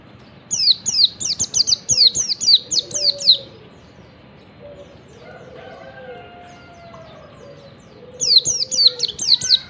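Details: Wild Oriental white-eye singing in the morning, yellow-breasted form, a recording used to prompt other white-eyes; a fast run of high descending chirps, a long pause with faint tonal background sounds, then another rapid burst.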